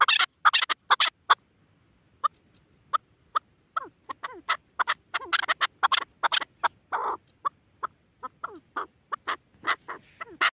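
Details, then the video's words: A partridge gives harsh, clucking chuk notes, some run together in quick bursts and others spaced out, mixed with short descending harmonic calls in a quiet setting. "أجمل وأفضل صوت حجل - رائع . Best sound and Call of Partridge"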